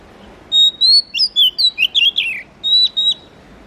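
An Oriental magpie-robin sings a quick run of clear, varied whistles and slurred notes, high-pitched and rich, in two bursts over a quiet background.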